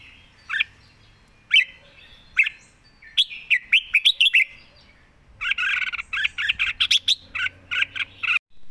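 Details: Red-whiskered bulbul, kept as a cage bird, opens with a few separate chirps, then a lively warbled phrase. A long, rapid, chattering run of slurred whistled notes follows. Quiet surroundings.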